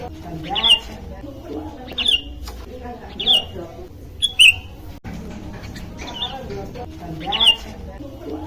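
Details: Sooty-headed bulbul calling out to its companions, giving six short, sharp, high chirped notes spaced roughly every second or so over a steady low background murmur.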